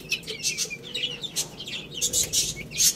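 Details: Young chicks eating rice utter quick, piercing high peeps, some rising sharply, interleaved with crisp pecking clicks.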